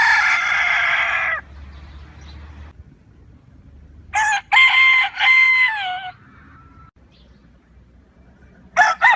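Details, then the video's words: Free-range rooster on a farm crowing once: a loud, ringing cock-a-doodle-doo of about two seconds that drops in pitch at the end, after a brief noisy burst, with another crow starting as the recording ends. "galo caipira cantando"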